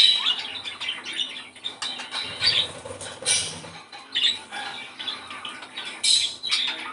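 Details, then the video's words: Budgerigar song used to stimulate breeding: steady, busy chattering and squeaky high notes, layered and overlapping, with a faint low rumble underneath. "ESTIMULAR CELO !!! CANTO PERIQUITO AUSTRALIANO!!"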